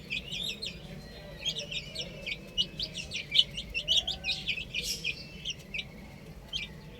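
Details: Several chicks playing on a roof: scattered high peeps that thicken into a dense run midway, then thin out, over a low background rumble.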